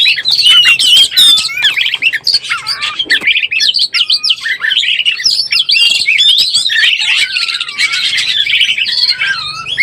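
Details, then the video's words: Oriental magpie-robin lure sound to excite birds in breeding condition: continuous, intense, high warbling with rapid whistled slides and buzzy chatter, steady in volume throughout. "SUARA BURUNG KACER BIRAHI_SUARA PIKAT BURUNG KACER"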